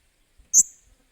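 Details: Blue-crowned hanging parrot being trained as a backup decoy bird, 28 July 2021: a single sharp, shrill, very high note, briefly loud then trailing off into a thin fading tail, with quiet surroundings.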